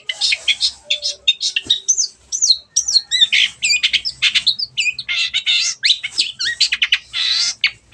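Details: Long-tailed shrike in energetic song as a lure for birds that have stopped singing: a rapid, varied jumble of whistles, rasps and twittering phrases running without pause.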